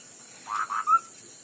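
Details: Chinese hwamei singing in a song-fighting contest, one brief phrase of two harsh, grating notes that run into a pure whistled note, over constant faint background hiss.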